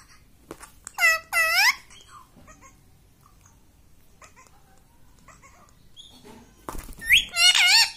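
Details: A pet parrot says "mummy" in a loud, nasal, harmonic voice. Arched two-part utterances come near the start and again near the end, with quiet room sounds between them.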